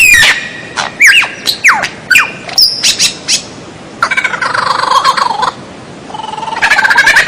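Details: White-rumped shama (murai batu) masteran recording for training captive birds: quick slurred whistles and chips, then a long dense scratchy chattering passage full of rough buzzy notes.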